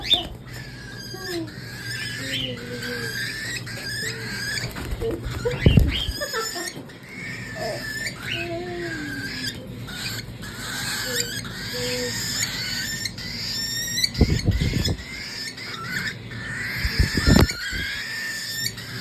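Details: Baby cockatiels flying, perching and searching for food give repeated short chirping calls, with soft thumps and a faint voice indoors.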